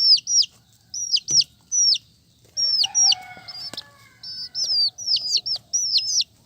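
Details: Colourful chicks peeping in high falling notes, often doubled; midway a stretch of lower, steady tonal sounds and a sharp click interrupt before the peeps resume.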